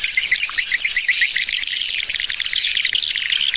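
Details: Swiftlet lure call used to attract swiftlets: a dense, unbroken chatter of high, buzzy chirps and twitters, about two a second, with a thin whistled tone running through it.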